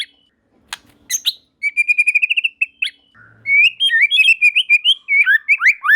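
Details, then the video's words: White-rumped shama song, other shamas joining in; a run of rapid repeated whistled notes, then varied warbling phrases with sweeping whistles and rising and falling notes, loud and clear. "Tanpa Nunggu Lama Burung Murai Batu Lain Langsung Ikut Nyambar Gacor || Voice of Murai Batu"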